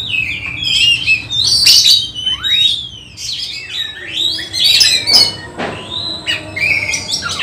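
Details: Magpie-robin rehearsing for a songbird competition, giving loud rich whistles, swooping slides and sharp harsh notes in varied phrases, with low background hum.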